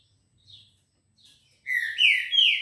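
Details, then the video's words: A Green-winged saltator at 6:30 on a Monday morning, 18 October, opens with faint soft notes, then gives a loud phrase of three strong whistled slurs, rising and falling. "Trinca ferro bom dia"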